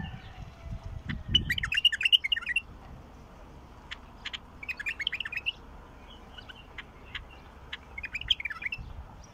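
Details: Bulbul song used to prompt a silent bulbul to sing: three bursts of rich, bubbling, warbled phrases a couple of seconds apart, over low rumbling background noise.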